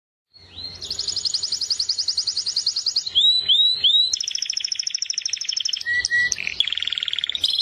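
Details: Canary singing a run of rapid, even high trills, then a few slurred rising notes, a steady buzzy rolling trill, brief sharp chips and a lower rattling tour at the end. Each phrase is held for about a second or more.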